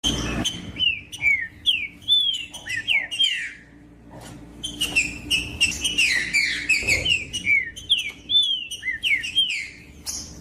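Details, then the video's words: Captive green-winged saltator singing, used to warm up a cold caged bird: rapid run of loud slurred whistles swooping up and down, a short pause midway, then another dense burst of phrases, with sharp clicks throughout. "Esquentar trinca ferro frio com trinca ferro cantando"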